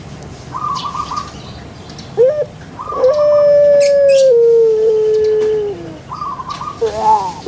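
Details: Kept puter pelung dove, Java, Indonesia, making a long drawn coo that slides gradually lower and steps down near the end, amid chattering calls from small birds nearby.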